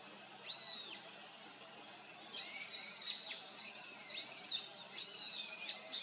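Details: Long-tailed rosefinch, a winter visitor on its winter arrival, giving thin, high whistled calls in short bursts every second or so, over a steady high-pitched hiss.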